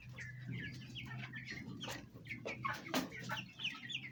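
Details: Domestic Fayumi chickens, Egyptian in origin, hens with young chicks at home while eating and fighting; fast run of high chirping peeps, about three a second, over low clucks and a steady hum.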